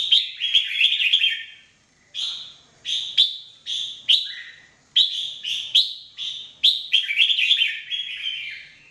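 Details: Red-whiskered bulbul singing for training: a steady series of short, bright whistled phrases, each with a quick rising onset, repeated about twice a second with short breaks, background quiet.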